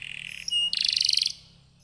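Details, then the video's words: Short canary song fragment from a lure recording: a steady flat tone, a short pure whistle, then a fast bubbling trill lasting about half a second. "Kenari gacor, Apapun jenis jenis anda pasti akan terpancing bunyi dengan pancingan kenari ini"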